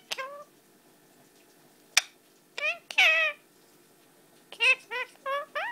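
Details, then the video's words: An 11-month-old pet Indian ringneck parakeet talking indoors, repeating a phrase in a high, harmonic, nasal voice: short clipped syllables and a rising squeaky word, with brief pauses between utterances in a quiet room. "saying kisses muma"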